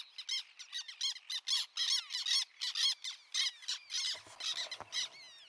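Black terns give harsh, squeaky kek notes in a rapid overlapping chatter, about two a second, high-pitched and scratchy; several birds seem to call together.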